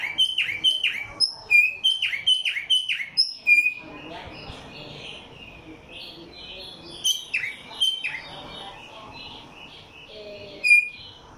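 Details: A tumba yegua singing in Barranquilla, Atlántico, Colombia, gives a quick series of bright, down-slurred whistles repeated in tight bursts.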